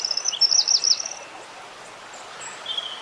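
A wren sings a quick burst of high, looping twittered notes for about a second, then a few thin, scattered high notes follow against faint background hiss.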